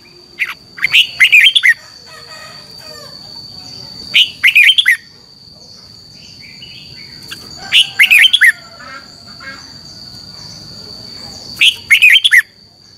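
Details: Red-whiskered bulbul giving competition song in the morning, meant to spur other birds into singing: short, bright, warbling phrases of about five quick notes, repeated roughly every four seconds over a steady thin high tone and soft background hiss.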